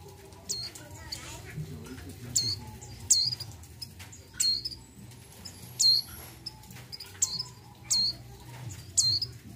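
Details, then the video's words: Breeding female mountain white-eye calling for a male, giving thin, high, downward-slurred notes repeated roughly every second in a steady series, with a faint low hum behind. "PLECI MONTANUS MONTY BETINA BIRAHI MEMANGGIL JANTAN"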